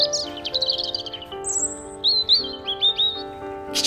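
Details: Wild European robin singing from thick bushes in woodland on 9 December 2019, after snow melted, among damp fallen leaves: high, thin, rapid warbled phrases, a sustained sweet whistle and sliding trills, over steady background music.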